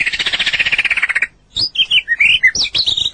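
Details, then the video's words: White-rumped shama song from a training recording for other birds: a dense buzzy rattle for about a second, a short gap, then varied squeaky whistled and scratchy phrases. "Masteran burung murai batu durasi panjang burung gacor owor owor"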